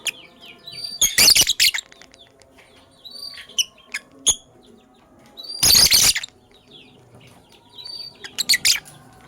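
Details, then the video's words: Morning chirping from caged lovebirds, Sky Blue Opaline and Cobalt: short rising and falling whistled notes scattered throughout, broken by three loud rasping broadband bursts several seconds apart. "Lovebirds Chirping Sounds"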